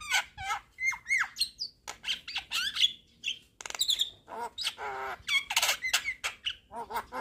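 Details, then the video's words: Javan myna (jalak kebo) delivering 'gacor' song full of 'isian' fill phrases while nodding: varied squeaky slurs, buzzy harmonic-rich notes and quick whistles in a rhythmic, almost metronomic string of phrases. "Kicauan Jalak Kebo Gacor MAnggut - Manggut Full Isian"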